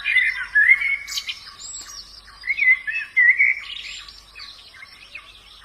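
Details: White-eye in the wild giving bright, high twittering song in bursts, with sweet slurred notes and rapid chirps separated by brief pauses.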